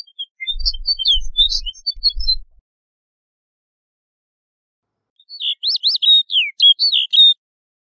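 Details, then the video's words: A snow bunting sings two brief, sweet warbling phrases of quick high notes, a few seconds apart, with low thumps beneath the first phrase. "Snow Bunting Singing! Snow Bunting Calling! - Escribano Nival Canto"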